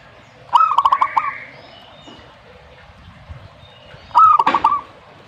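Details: Two phrases of zebra dove song, each a quick run of soft, pulsed cooing notes rolling into a brief trill, separated by about three and a half seconds of quiet.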